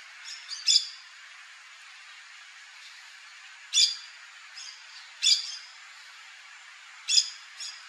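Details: Yellow-chevroned parakeet (Brotogeris chiriri) repeating piercing high squawks at irregular intervals of one to two seconds, each a sharp burst followed by a thinner echoing note.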